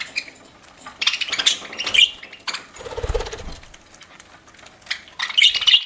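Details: Budgie feeding indoors, with rough twittering chatter and scratchy notes in bursts, a short low rustle in the middle, and a final flurry of sharp chirps.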